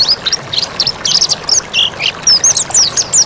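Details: Mountain white-eye singing energetically in a recording made for training birds: a quick run of thin, high, sliding chirps and short whistled notes, some rising and some falling, over a steady background hiss.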